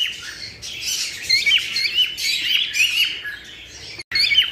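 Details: Several cockatiels chirp to stimulate mating: a dense chatter of short, bright, high chirps and squawky notes that overlap continuously, with a brief break near the end.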